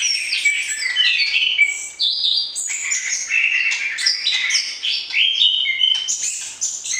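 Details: White-rumped shama singing to excite a prospective mate before breeding. A dense, high stream of whistled and buzzy phrases shifts pitch constantly, with hardly a pause.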